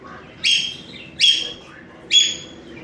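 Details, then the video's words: Ten-month-old African grey parrot making sounds while trying to talk: three sharp, high chirping calls, each starting abruptly and trailing down, spaced about three-quarters of a second apart, over quiet background. "10 month old African Grey is making sounds and trying to talk."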